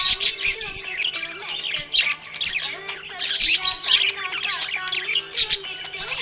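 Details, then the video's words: Happy budgerigar keeps up a dense, scratchy warble of high chirps and squeaks, rising in louder clusters every second or so, with steady low background tones throughout. "Happy budgie chirping sound"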